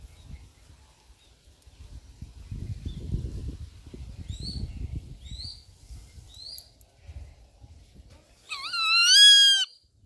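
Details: Rufous-winged buzzard calling: thin high chirps repeated faintly through the middle, then near the end one loud, harsh, rich call that rises and holds for about a second, over a low rumbling background.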